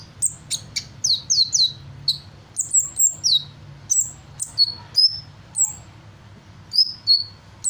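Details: Hummingbird in lively song, mimicking various birds: quick high chirps and sweeping downslurred whistles in rapid bursts, then sparser single notes, all sharp and thin with a faint low hum behind.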